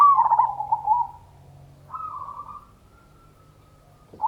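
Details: Zebra dove of local stock singing a lure song in ngayer kerot nutut style to rouse other doves. A loud, trilling coo fades into a long flat tone, then a softer, even coo follows.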